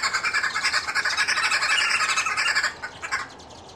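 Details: Red-billed (green) wood hoopoe (Phoeniculus purpureus) giving a harsh, rapid cackling chatter for nearly three seconds, ending in a few scattered rasping notes; birds feeding their chicks and clowning around.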